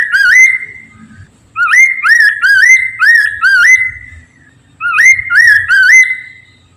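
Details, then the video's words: Lure song of a Chinese Hwamei for prompting other poksay mandarin birds to sing: loud, rich, rising whistled notes delivered in groups of three to five, with short pauses between the bursts. "PANCINGAN POKSAY MANDARIN TERBUKTI AMPUH CEPAT DIRESPON POKMAN LAIN AGAR IKUT BUNYI"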